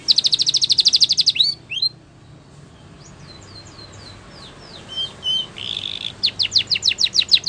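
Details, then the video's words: Spanish Timbrado canary song for training canaries: a loud fast trill, a few rising notes, a fainter stretch of soft sweeps, then a buzzy burst and quick descending notes. "The Best Spanish Timbrado Song For Training Your canary !! Make Your Canary Singing Again"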